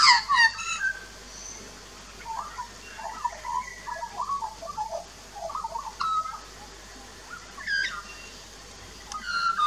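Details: Adult and juvenile Australian magpies singing a duet at a backyard birdbath in Australia, filmed 2 March 2018: a mellow, gurgling warble of rapid mid-pitched notes, with higher piping notes at the start and around eight seconds.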